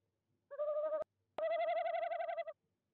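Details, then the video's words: Wild tawny owl calling from nest box 1 in De Mortel, Netherlands, 26 January 2021, 19:33 in the evening, recorded by a nest-box camera. Two pulsing, wavering hoots, the second longer, separated by a sharp click. "Bosuil bezoekt uilenkast 1, roept 19:33 CET"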